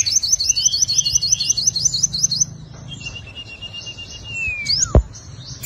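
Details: Five-coloured sunbird singing its fighting song as a lure: a rapid, regular trill of high rising notes for over two seconds, then a long thin level whistle that drops away, and a sharp click.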